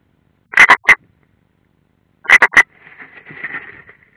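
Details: European roller at a nest in Ādaži training ground, Latvia, on 30 June 2016, an unringed bird: two bursts of hoarse, rasping notes, two then three, followed by a softer rustling scratchy noise.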